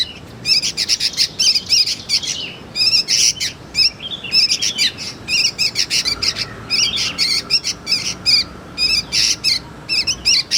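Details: Young sooty-headed bulbul, recorded as a lure and tutor for magpie-robins, gives a steady stream of short, wavering, harsh chirps, mostly in quick clusters with brief pauses between them.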